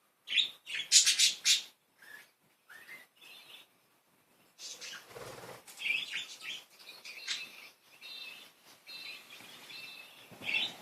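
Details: Happy, playful pet budgerigars: a loud burst of harsh chirping, short rising squeaks, then a long stretch of continuous rapid twittering warble from the group.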